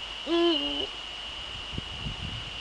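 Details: Male Eurasian eagle-owl calling at 18:00 on 30 January 2013 in the Netherlands, one deep two-part hoot, steady then dipping, followed by soft clicks and rustling beneath a continuous high tone.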